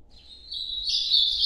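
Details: Ultramarine grosbeak song in the Nordeste style, labelled noturno: one clear, sustained high whistle that holds steady, then steps up and brightens toward the end over a faint low hum, with no other birds.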